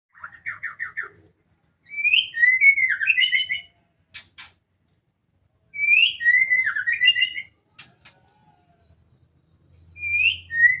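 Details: Male white-rumped shama in the wild, singing loud, clear whistled phrases: a rapid run of short repeated notes, then rich warbled bursts with sliding whistles and sharp high clicks, the phrase repeated about every four seconds with pauses between.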